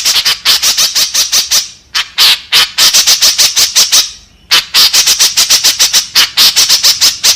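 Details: White-breasted woodswallow (kekep babi) lure call, used to draw in others of its kind: loud harsh rasping notes in rapid series, pausing briefly near two seconds and again around four seconds before resuming.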